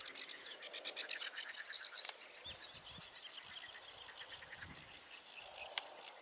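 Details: Sedge warbler song: a fast, continuous chatter of high, dry, scratchy notes, several per second, loudest early on then softer and more varied, with a sharp click near the end and faint low rumbles.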